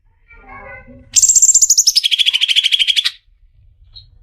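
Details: Greater green leafbird in full song, from an Indonesian tutor recording for songbirds: after faint lower chattering, a loud, fast pulsed trill of about two seconds, starting very high and stepping gradually downward before stopping abruptly.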